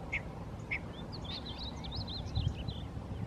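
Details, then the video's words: A male painted bunting at Rattlesnake Springs, New Mexico, on 6 May 2016, gives two short high call notes, then a rapid, sweet, high-pitched warbling song of jumbled notes, over a steady low rumble of wind. "Male Painted Bunting (Passerina ciris) Singing Calling"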